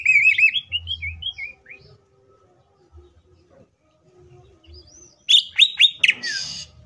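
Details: Green leafbird giving a varied song as a lure to stir other leafbirds to sing: warbled wavering whistles, a quiet stretch, then loud sharp chirps ending in a buzzy rattle.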